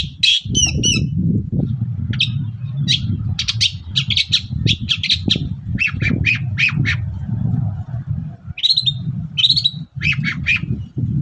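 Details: Morning singing by a lively long-tailed shrike, played to make other shrikes respond: clusters of sharp chattering notes and brief squawks with short gaps between phrases, backed by a low droning rumble.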